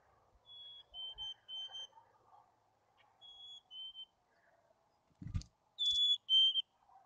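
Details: Whistled two-note phrases from a chickadee at a wild nest cavity near Emigrant, Montana, June 2022, repeated quietly twice then loudly once, high note then lower; a low thump and faint background hum.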